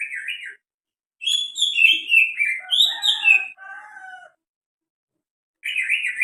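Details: Greater green leafbird making strange sounds: a quavering chirp, a pause, then a rapid tumbling run of sharp descending notes and lower whistles, silence, and another quavering chirp.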